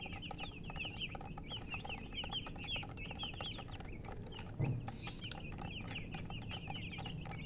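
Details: Baby chickens chirping: a dense stream of quick, shrill peeps from several chicks, briefly thinning near the middle where a single louder knock sounds, with a constant low hum underneath.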